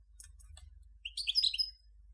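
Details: European goldfinch, Major form, giving a short burst of bright twittering notes that rise and fall over a low steady hum.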